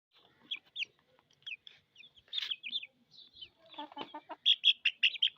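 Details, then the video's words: Thirsty domestic chicks chirping: shrill, high peeps, often slurred downward, come in quick irregular runs with short pauses, ending in a dense burst of several loud peeps. "MURGI chichs chirping sounds with thirst"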